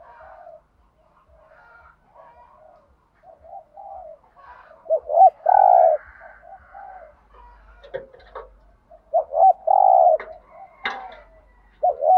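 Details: Spotted dove, 'thúc gù' urging coo in the native field-dove voice. Quiet mumbled coos build into bursts of loud short notes and firm coos, with brief clicks between phrases.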